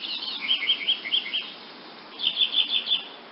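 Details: Wood nymph hummingbird calling: two bursts of high, thin chirps, five or six quick notes each, the first series around half a second to one and a half seconds, the second near two and a quarter to three seconds.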